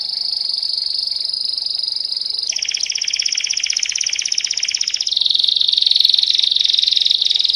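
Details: Belgian canary in full song: a smooth sustained high trill, then a lower coarse rolling passage, then a bright fast ringing tour, each section lasting a few seconds.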